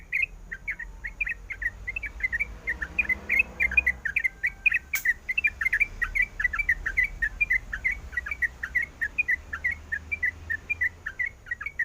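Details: Female sooty-headed bulbul in breeding condition calling the male: a long, steady series of sharp, chattering chirp notes repeated rapidly throughout, with one brief click midway.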